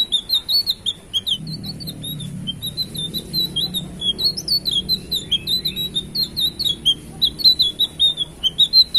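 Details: Loud song of a blue flycatcher: rapid chattering run of short, sharp chirps and twittering notes, closely packed and repeated without pause, with a faint low hum underneath.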